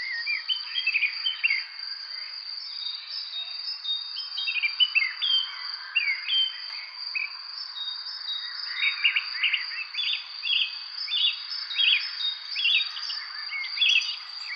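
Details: Three nestlings waiting for their mother to bring food give short, high chirps in scattered bursts. In the second half these become quick repeated clusters, all over a steady high insect-like hum.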